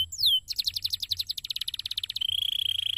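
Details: Canary in a cassava garden giving one loud falling whistle, followed by a fast, evenly spaced trill of about twenty notes and an even quicker buzzy level rattle.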